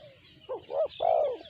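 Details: Single sanji-style coo phrase from a spotted dove, two short hooting notes followed by a longer, steady low coo.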